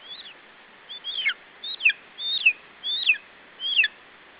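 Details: At an Estonian nest on 21 July 2012, late afternoon, a lesser spotted eagle chick defends its food against a parent. Six high, downslurred yelping notes come roughly every half second to second, each quick and sharp.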